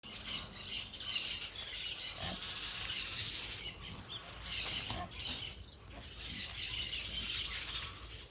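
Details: Parakeets making noise outdoors amid natural sounds: overlapping high, harsh chattering calls from several birds, coming in irregular bursts over a steady hiss of background noise.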